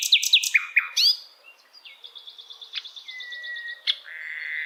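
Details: Asian brown flycatcher song, recorded for songbirds to imitate: quick downslurred chips, then soft high twitters and a long flat whistle that drops to a lower steady note.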